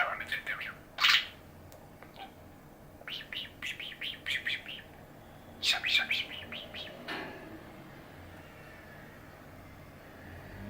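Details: Nine-year-old male pet budgerigar chatters in rapid scratchy chirps and warbled squeaks, then a sudden clattering bang startles him and he falls silent, leaving only quiet room hum.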